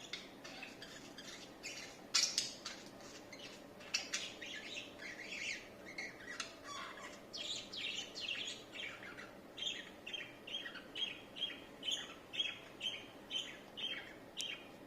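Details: Budgerigars mating in a cage chatter in quick, scratchy chirps and squawks, tumbling over one another in a busy stream.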